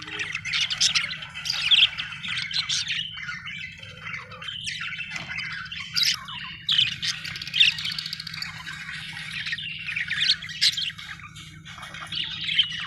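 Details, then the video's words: Budgerigars, described as Australian birds, keep up a continuous chattering warble of squeaky chirps and scratchy trills, rising in bursts over nearly thirteen seconds above a faint steady low hum. "budgie chirping sound"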